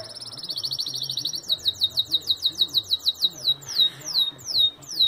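A Belgian canary sings a high, fast song: a rolling trill, then a run of rapid downslurred notes about three per second, with faint low voices behind.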